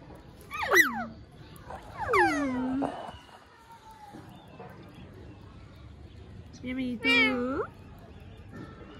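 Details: Talking pet parrot said to speak clearly; three bursts of harsh, voice-like, sweeping syllables rich in overtones, each about a second long, separated by quiet pauses.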